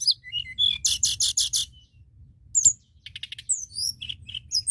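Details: White-browed shortwing in full song for provoking other birds: a few short whistles, then a loud rhythmic buzzy rattle of five pulses, a pause, and high sliding whistled notes with trills.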